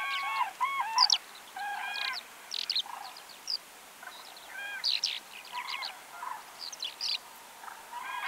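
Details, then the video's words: Autumn common cranes calling in short trumpeting bursts, layered harmonic notes overlapping, mixed with sharp high chirps of small birds. "Bird sounds - COMMON CRANE in autumn"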